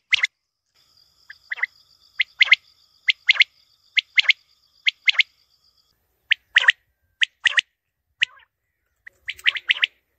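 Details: Quail uttering sharp, high-pitched notes, often doubled, repeated roughly once a second with a brief pause midway, in otherwise quiet surroundings with a faint high whine at first.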